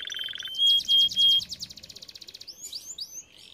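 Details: Training song of a canary: a low buzzy rattle, three loud pure whistled notes, a fast rolling trill, then a few sweeping slurred notes.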